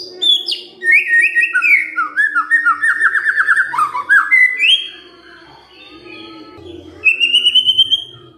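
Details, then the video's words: Shama (white-rumped) singing kretekan fighter to make silent birds reply: long chattering series of fast falling whistled notes, a brief lull, then a rising whistled phrase, over a steady low hum. "KRETEKAN FIGHTER✅ BEBERAPA DETIK SAJA, MURAI DIAM PASTI RESPON NYAUT✅✅"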